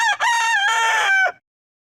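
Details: Domestic rooster crow: a single loud, strongly harmonic crow lasting about 1.3 seconds, a brief first syllable followed by a long level drawn-out note that drops at the end, then silence.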